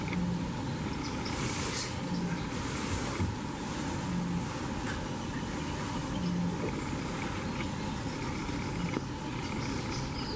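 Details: A Eurasian bittern booms low and hollow, about once every two seconds, from Island Mere at RSPB Minsmere, Suffolk, half-buried under steady wind and rumbling background noise.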